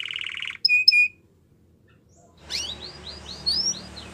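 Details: Yellow Belgian canary singing, described as in the wild: a brief buzzy trill, two high clipped notes, a pause, then a soft series of quick descending sweeps.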